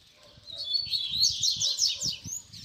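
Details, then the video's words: Double-collared seedeater song in the baderna style for teaching young birds: a short run of fast, high, down-slurred notes over low rumbling and thumping background noise. "Baderna de Coleiro Cantos Fibra"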